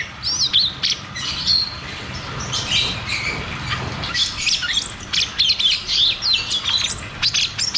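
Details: Cucak cungkok, "ngeroll tembak" rolling song used as a lure for caged birds that stopped singing: busy, overlapping high whistles and twitters, quieter in the middle then bursting into fast choppy phrases.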